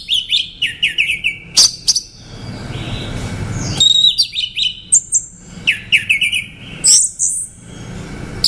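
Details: Orange-headed thrush in full song: repeated clusters of quick, varied whistles and chirps, some buzzy, others clear and sliding, coming in bursts with short gaps between.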